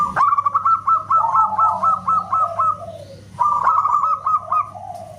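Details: Zebra dove of local stock, loud as a whistle, delivering a rapid string of bright, stuttering fluted notes that slides down to a lower trailing coo, then starts a fresh phrase; faint low hum underneath.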